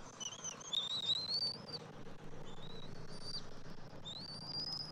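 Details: Father bald eagle feeding an eaglet at the nest, Saturday morning 27 January 2024; a series of thin, upslurred whistles, some long and strained, separated by short gaps, over low hum.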